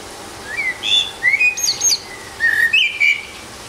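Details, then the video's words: Rooftop song of a lone Eurasian blackbird: rich, rounded whistles that slide up and down, mixed with scratchy high twitters, in two quick phrases. "Magányos rigó énekel a háztetőn"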